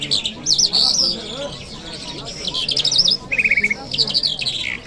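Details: In Kabul city on a Friday morning a lark sings twisting high whistles and jerky trills, then a low rattling buzz, then a final falling chirped phrase, over soft background hum.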